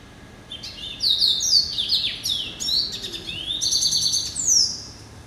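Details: Pet hybrid finch from a yellow-eyed canary and Timbrado cross, hatched November 2012, delivering a lively high song of descending whistled slurs, quick buzzy rattles and rolling trills, with no other sounds.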